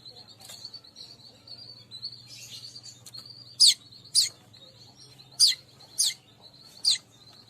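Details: Weaver attracting call for all kinds of weaver: a high, thin, wavering buzzy trill runs throughout, broken by five loud, sharp descending chirps, the later ones paired, over a soft low hum.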